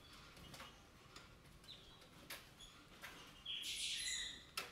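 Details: White-eyed parakeet (Psittacara leucophthalmus) feeding on sunflower seeds in a vegetable garden gives one harsh, grating screech near the end, after scattered sharp clicks and cracks, with soft rustling in the background.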